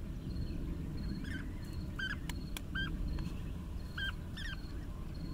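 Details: Bee-eaters calling: short, rolling, arched notes with bright overtones, given singly and in quick pairs at irregular intervals, over a steady ticking insect pulse and low wind rumble.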